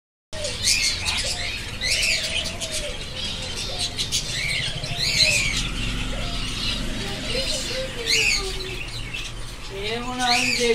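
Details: Budgerigars chatter without pause in a dense flock, with overlapping high chirps and warbles, bursts of wing flapping, and a lower voice-like sound near the end.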